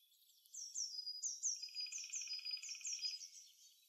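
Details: Songbird in a spring forest, singing to win over females: a series of high, falling whistled notes repeated roughly twice a second, over a softer buzzing pulsed trill.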